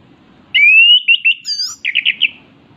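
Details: Orange-headed thrush, locally called anis kembang, singing actively: a long clear whistle rising steadily, two short looping whistled notes, a brief high twist, then a quick run of four slurred trilled notes, with faint background murmur.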